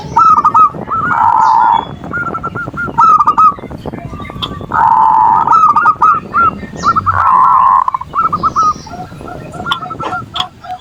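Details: Zebra dove song called manggung, meant to provoke rivals and rouse lazy doves: strings of rolling coo notes interrupted three times by loud, harsh, buzzy calls from another bird, with scattered clicks.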